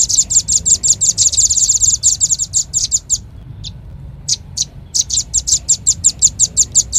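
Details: Velvet-fronted nuthatch call used as a bird lure: a long run of rapid, high, dry chips, a short lull with a few isolated notes, then brisk even chipping resumes.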